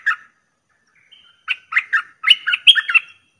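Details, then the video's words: Streak-eared bulbul lure call used for trapping: short bubbly chirped phrases of two to four notes, a lone note, then a run of quick warbled notes after a pause, clean and otherwise quiet. "เสียงต่อนกกรงดอกแตงEp.79 [เสียงใหม่ล่าสุด]🇹🇭 🇲🇾Suara pikat merbah lekir gacor"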